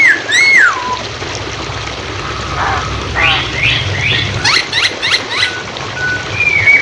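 A Chinese Hwamei sings a varied run of clear slurred whistles and quick rising chirps, changing phrase every second or so over a low background rumble.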